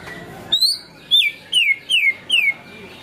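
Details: Greater green leafbird (cucak ijo) singing in the 'materi ngunci kenari' style: five loud, clear whistled notes, each sliding sharply downward, given roughly every half second after a brief rising opening note.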